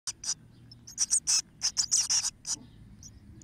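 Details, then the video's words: Eurasian blue tit nestlings, 13 days old, in May: a rapid, irregular chorus of very high, hissy chirps in short bursts, several voices overlapping, over a faint low hum. "Blaumeisen Aufzucht Küken Tag 13"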